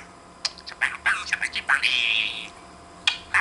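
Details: Hand-raised pet budgerigar talking while interacting with its owner indoors: a quick run of clipped, speech-like syllables, then a rising buzzy warble and a few sharp chirps after a pause.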